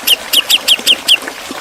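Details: Javan cucak jenggot (grey-cheeked bulbul) singing in the sharp 'ngepik beset' style, used as a master song for training songbirds: six sharp, clipped downslurred notes about every fifth of a second, then trailing quieter sounds.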